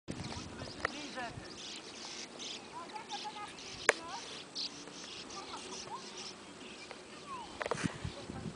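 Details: Sand martins at a gravel pit near Dilsen, Belgium, twitter constantly in short, dry chirping notes from many birds at once, with a steady rushing background and a sharp knock or two.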